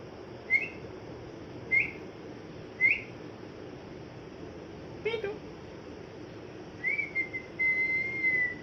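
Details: An angry pet parrot in moult calls out with short, rising whistled chirps, three spaced about a second apart. A brief rough note follows, then a longer drawn-out whistle over steady room hiss.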